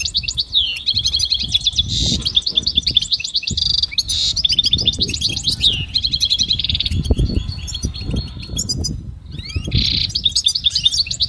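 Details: Goldfinch singing a motivational training song: long, fast, unbroken twittering of high chirps, liquid trills and buzzy rattles with only short pauses, over a steady low background rumble.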